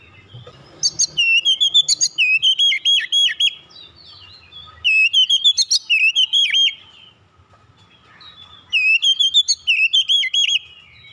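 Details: Oriental magpie-robin singing basic song, tight rolling style, three long bursts of rapid, bright, looping whistled notes with a few high sharp accents, separated by brief quiet gaps.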